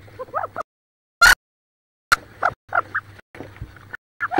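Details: Wood duck hen on about 18 eggs in a nest box near Richland, Washington, squabbling: soft squealing calls broken by silent gaps, with a few sharp loud clicks or knocks.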